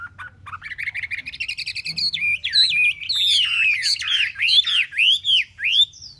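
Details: A Chinese hwamei kept caged for three months sings loud, clear whistles that climb in pitch, followed by a sequence of looping, swooping notes, each rising then falling, repeated roughly twice a second.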